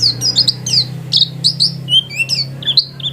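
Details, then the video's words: High-pitched, jerky chirps and short whistled slurs from a white-eye singing vigorously at home, delivered in a quick irregular stream over a steady low electrical hum. "Burung pleci gacor"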